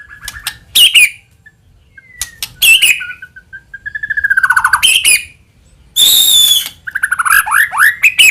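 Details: White-rumped shama lure song mixing sharp chips, a soft rising trill of repeated notes, a harsh high rasping burst and quick swooping whistles.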